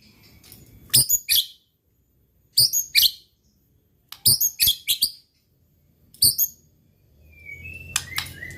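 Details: Provocation song of a white-rumped shama, aimed at rival birds. Short sharp high bursts of clipped notes come about every one to two seconds, with a low background rumble building near the end.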